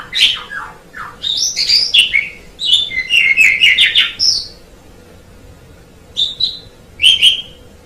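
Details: Tutor recording of an Asian pied starling's song, packed with rapid chattering, whistled notes in a tumbling series over about four seconds, then a short lull and a few sharp scattered phrases.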